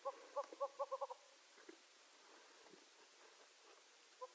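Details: Gambel's quail producing a rapid burst of about seven short, clipped clucks, then faint rustling background hiss and one last cluck near the end.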